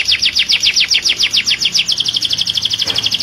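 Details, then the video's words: Canary song meant to spur caged birds into singing and mating: rhythmic falling notes repeated about five times a second, shifting into a faster, even, high-pitched trill. "تغريد رائع لطائر الكناري في قمة الجمال لتحفيز طيوركم على التغريدBeautiful canary voice"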